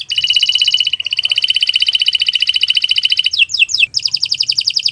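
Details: Canary singing a long training song: a sustained rapid high trill with a brief break, three quick falling whistles, then another fast ringing trill.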